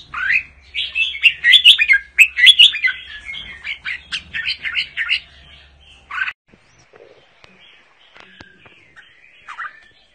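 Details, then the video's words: A 'Mơ' red-whiskered bulbul sings its double-voice 'giọng kép' song. A rapid series of rich, warbled whistles lasts about six seconds and ends in one strong note. Faint scattered chirps follow in near quiet. "Con Chào Mào MƠ cực đẹp, HÓT giọng KÉP Cực đã"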